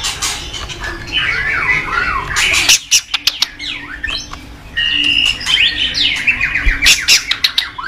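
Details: Morning song of a white-rumped shama, used as a lure to set cage birds singing: tumbling whistled phrases mixed with harsh scratchy notes and clicks, pausing briefly midway before resuming in a rich varied stream.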